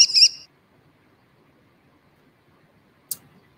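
An American Kestrel gives a brief, high, shrill burst of two or three quick notes at the start, followed by silence and a faint click.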